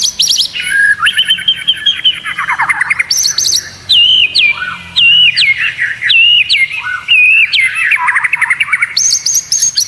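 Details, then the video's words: Training song of a white-rumped shama for competition birds, with rattling trills followed by clear whistled phrases, each repeated with a sharp upward flick every second or so. "Masteran murai batu; Full materi Suara aneh kuasai gantangan"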